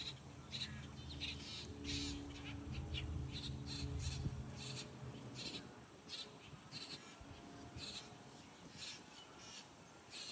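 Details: Grackle chicks being fed by a parent give harsh, raspy begging calls, repeated quickly and unevenly, over a low rumbling hum that fades after the first few seconds.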